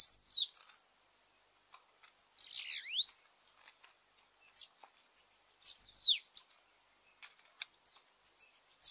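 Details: Bananaquit in a singing contest, giving short, high, sibilant phrases of sharp descending and rising sweeps separated by pauses of one to two seconds, with scattered ticking notes and a faint constant high whine.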